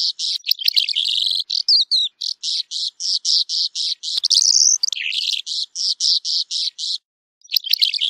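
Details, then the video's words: Calandra lark delivering a long series of harsh, buzzy notes at about four per second, with a twittering start, a rising slurred whistle near the middle, and a short pause before the end. "Calandra Lark Song! Calandra Lark Call! Singing! - Calandria Europea Canto!"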